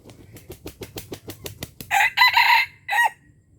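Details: Red junglefowl from Aceh, Indonesia, kept to lure wild junglefowl. A run of soft clucks comes about four per second, then a loud, harsh, broken crow in several bursts and one short final note. The background is otherwise quiet.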